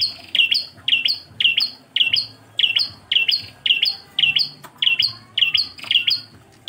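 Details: Prenjak klawu, Bar-winged prinia, engkel song: a long, fast series of shrill paired chirps, each note dropping then lifting, repeated almost twice a second without pause.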